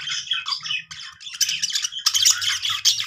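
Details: Budgerigars making happy sounds, a rapid run of scratchy, buzzy squawks and chirps in overlapping bursts, bright and high, with a soft low rumble underneath.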